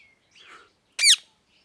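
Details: A soft, rising-and-falling whistled note, then after a short gap one loud, harsh, descending parrot squawk. Otherwise silent.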